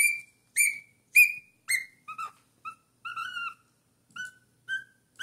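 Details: A four-month-old cockatiel sings a lot, whistling a string of clear notes, some rising and some falling, starting bright and high then dropping lower, roughly two per second.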